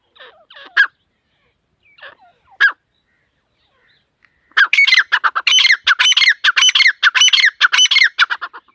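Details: A few isolated squawks from a female teetar, or partridge, then a sustained fast series of loud rasping korak notes repeated almost twice per second.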